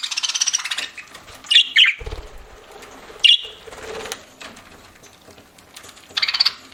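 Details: Pet budgerigar chirping while eating: a rapid pulsed buzzy burst opens, then sharp high chirps near two seconds and at three seconds, and another quick pulsed burst at the end, with low rustling between.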